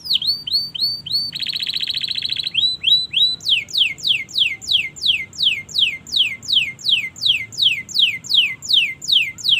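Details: Long canary master song for training learning birds: short whistled phrases, a dense buzzy trill, then a long steady series of sharp down-slurred notes, roughly two per second.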